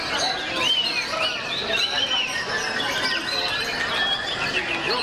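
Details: A champion white-rumped shama at a songbird contest pours out a dense run of loud, varied whistles and trills, high and continuous, over crowd chatter.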